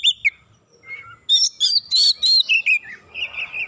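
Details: Agitated Oriental magpie-robin singing at a rival. A few sharp notes give way to a rapid run of loud, bright, chirpy syllables in quick succession, then a softer trailing warble.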